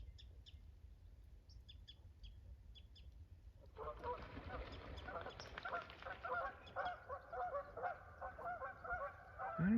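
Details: Mallards on public land break into a dense chorus of overlapping nasal, honking calls midway through, after faint high chirps from small birds and a low background rumble.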